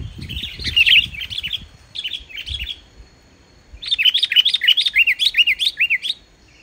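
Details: Sooty-headed bulbul singing in full voice, free of mimicry, meant to draw other bulbuls into song. Bubbly whistled phrases come in bursts, ending in a fast run of looping, rising-and-falling notes.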